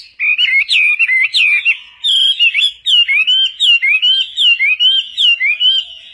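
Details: Chinese hwamei in loud varied song, meant for training other birds: jumbled rich whistles followed by a rhythmic series of rising, ringing whistled notes repeated about once a second.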